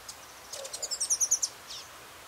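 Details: Rufous-headed tanager (Hemithraupis ruficapilla) song, recorded in Belo Horizonte, Minas Gerais, Brazil: a thin, very high series of about seven quick sibilant notes in under a second, over soft background hiss.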